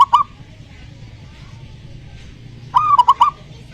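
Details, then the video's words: Zebra dove cooing to provoke a silent dove: the tail of one phrase at the start, then after a pause a full phrase of a drawn-out note and three quick clipped coos, over faint hum. "pancingan perkutut malas bunyi"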